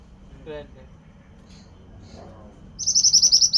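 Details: Pied bushchat in energetic song for bird training: faint scattered sounds first, then a sudden fast series of high, sharp, evenly spaced notes.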